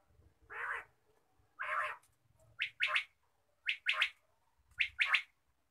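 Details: Quail in the morning giving two longer, harsher notes, then three crisp paired note-groups, each pair snappy and high, spaced roughly a second apart.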